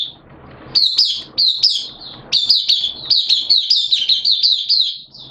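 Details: Captive hobby white-eye singing on 11 September 2022 amid wet, erratic weather; brief high twitters open, then a long rapid run of sweet, slurred warbled notes without a break.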